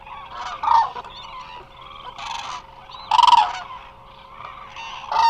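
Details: Eurasian cranes, a large flock resting at the Hula Nature Reserve in Israel, caught by a remote live camera: scattered harsh trumpeting bursts, a few loud, others distant, over a low chorus and a steady electrical hum.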